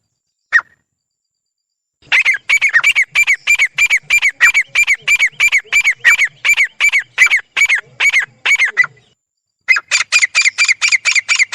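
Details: Grey francolin pair (teetar) calling together: one short note, then a loud, harsh, ringing note repeated rapidly, about three per second, for roughly seven seconds; a brief pause follows before the fast series resumes.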